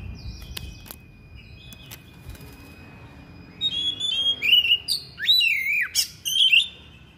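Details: Thick-billed oriental magpie-robin, persistent and fierce in voice, unloading its fill-in phrases: a few faint clicks and wing-like flutters at first, then a loud run of whistled sweeps and swoops in the second half.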